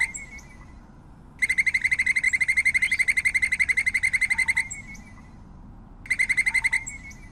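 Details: A White-necked puffbird (Notharchus hyperrhynchus) gives a long, even, high trill of rapid pulses lasting about three seconds, then a shorter burst. Faint lower notes sound in the background.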